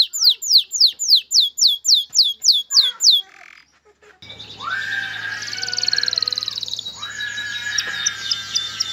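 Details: Male canary singing to bring a female into breeding condition and prompt nest building. About ten loud, evenly spaced swept notes, then a pause, a buzzy rolling trill and lower whistles over a steady low hum.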